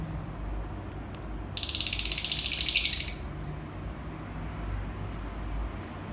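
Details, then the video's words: Lovebird giving a rapid, high, buzzy chattering burst of about twenty quick, even pulses lasting roughly one and a half seconds, followed by steady low background hiss and a couple of faint clicks. "Love Birds Singing"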